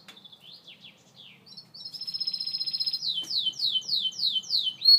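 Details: Gloster canary song opening with soft scattered chirps, building into a loud fast rolling trill, then a series of five or six descending slurred whistles repeated about twice a second.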